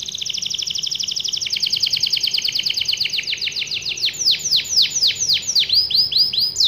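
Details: Singing canary giving a long rolling song to stir other canaries into song: a rapid high trill gradually slowing, then changing into separate descending swooping whistles repeated several times a second.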